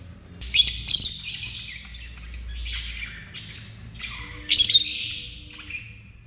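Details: Lovebirds at a dinner table giving loud, harsh squawking calls in two bursts, high and rough, with quieter chattering between them and a faint low tone in the background.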